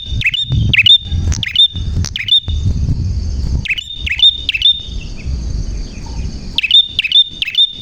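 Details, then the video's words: Prinia singing energetically with a clear voice: groups of two or three sharp, high chirps separated by gaps, with low rumbling noise underneath. "Burung Prenjak Gacor Suara JERNIH"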